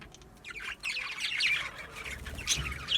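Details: Budgerigars chirping in a small home setup: scattered high warbling chirps and squawky notes, with a brief bright trill near the end and a faint low hum underneath.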